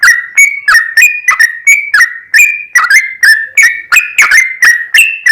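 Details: A yellow-vented bulbul pours out a long singing run as a lure to excite other bulbuls: clear clicky whistles repeated in quick succession, mostly level in pitch, a few doubled notes near the end.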